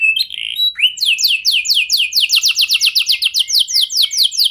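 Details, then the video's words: Canary singing a lure song meant to make other canaries respond at once: a short buzzy note and a rising whistle, then a fast series of bright downslurred notes, repeated about five times per second. "99,99% Pasti Kenari Lain Langsung Respon Dengan Pancingan Kenari Gacor Lagu Istimewa Ini"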